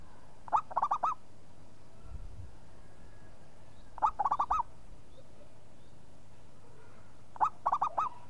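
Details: Vocal local zebra dove answering after a single call: three phrases of rapid, rolling, curling coo notes, about three and a half seconds apart, with a brief low rumble between the first two.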